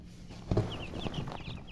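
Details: A few thin, high down-slurred peeps from colour chickens follow a dull thump and some handling knocks, over a low hum.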